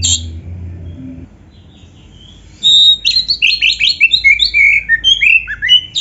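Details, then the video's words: Oriental magpie-robin (kacer) in rich 'gacor full isian' song, played as training material for captive birds: a quiet opening, then a rapid tumbling series of varied high whistles and chirps, some rising, some falling. "Masteran Kacer Gacor Full Isian"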